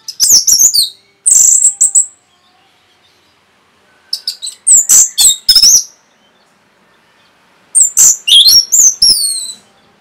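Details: Three bursts of fast Orange-headed thrush song, played to provoke other birds. Each burst is a dense string of high, sharp, slurred whistles and chatter, with quiet pauses of about two seconds between them.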